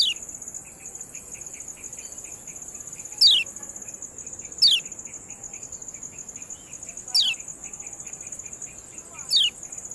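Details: Lemon-bellied white-eye (kecial kuning) training recording: four sharp, downward-sweeping ciak notes spaced irregularly over ten seconds, with quiet chips between and a steady shrill insect drone throughout.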